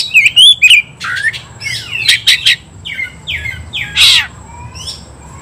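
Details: Oriental magpie-robin fighting song to provoke rivals; short whistled phrases mixed with harsh squawking, down-slurred notes and a loud rasping burst, with soft background hiss.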